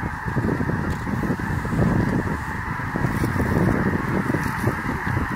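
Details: Mass of snow geese in flight over Bosque del Apache National Wildlife Refuge, 7 December 2017, landing together; an overlapping wall of nasal honks and barks fills the whole stretch without pause.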